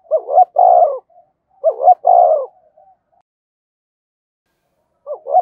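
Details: Spotted dove, a field-type decoy bird, giving provoking and summoning coos: two clear phrases of a short hooked note then a fuller low coo, about a second apart, with soft trailing notes, then a third phrase after a pause.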